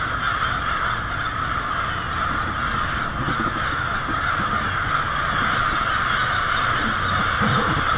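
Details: Massed American crows roosting for the night in a Lansing, Michigan neighbourhood on a February evening: a loud, continuous chorus of many hoarse caws blending together without pause, over a background of low rumbling noise.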